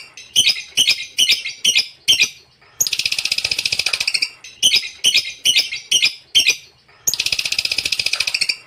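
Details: Lovebird giving long continuous "ngekek" trills: fast bursts of shrill, clipped chirps broken by buzzy rattling trills lasting over a second, all high-pitched and unbroken by other sounds.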